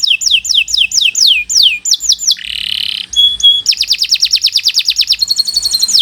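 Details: Canary singing continuous 'gacor' song for use as a training recording: rapid repeated downward-sweeping whistles, a short buzzy rasp and a clear tone, then a long fast rolling trill.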